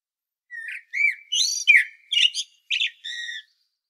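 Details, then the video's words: A common blackbird on Medvednica Mountain near Zagreb, Croatia, sings about seven short phrases in quick succession, mixing low rounded whistles with bright, squeaky upper notes. Recorded on a Panasonic Lumix DC-TZ90 with a quiet background. "Il Canto del Merlo 🍀 Mirlo Cantando 🍀 Merle Noir Chant 🍀 Amsel Gesang 🍀 Blackbird Song 🍀 Kos pjeva"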